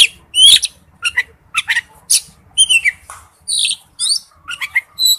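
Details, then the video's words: Oriental magpie-robin male calling to a female: harsh squawky notes mixed with clear slurred whistles, delivered in separate bursts about every half second. "tiếng chích chòe than gọi mái/chích chòe than trống kêu"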